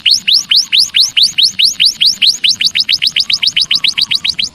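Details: Javan munia call used to lure wild birds: a rapid run of bright, clean upslurred chirps, about two per second then quickening, loud and sharp against faint low background hiss.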